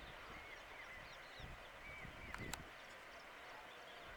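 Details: Black drongo near a farmhouse at Chopta, Sikar, Rajasthan, giving short, clear whistled notes, some slurred up and down, in loose pairs over steady outdoor hiss, with one sharp click.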